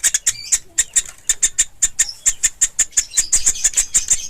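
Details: Young woodpecker (pelatuk ulam) calling steadily. Very high, squeaky notes repeat about four times a second, with a few faint lower chirps in the opening second.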